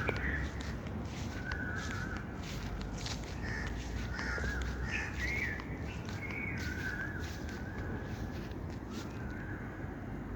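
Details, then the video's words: Busy bird calling: frequent rough, harmonic caw-like notes and short rising chirps, irregular and overlapping, set against a continuous low rumble. "birds chirping sound"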